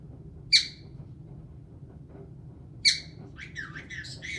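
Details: Caique parrot that sings, laughs, swears and dances. Two loud, piercing squawks come about two seconds apart, followed by a burst of quick twittering chirps against a low indoor hum.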